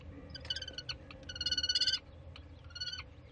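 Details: Common kestrel on 15 May in spring, giving rapid, shrill kee-kee-kee notes in three short bursts of about eight notes a second, over a low background rumble.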